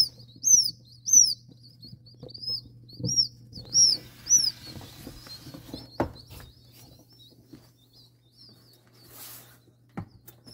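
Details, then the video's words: Freshly hatched ringneck pheasant chicks, about 60 just out of the incubator at night, give high, thin arched peeps in quick bursts over a steady low mechanical hum and a few knocks. "Ring Pheasant Chicks"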